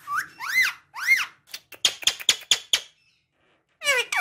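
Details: A pet talking parrot gives arching, whistled squeaks, then a quick series of clicking, chattering notes, and after a short silence a burst of descending squeals.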